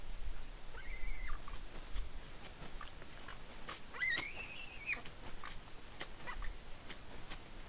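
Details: Excited eagle feeding on fish at a Smola, Norway nest, its mother nearby; a few high squealing whistles with falling ends mixed with sharp clicking and tearing sounds.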